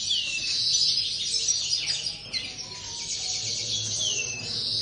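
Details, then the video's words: Linnet song in an aviary: high twittering phrases with clear descending whistled slurs, several birds chattering at once, a few faint lower tones and quiet hum behind. "corona pardillos"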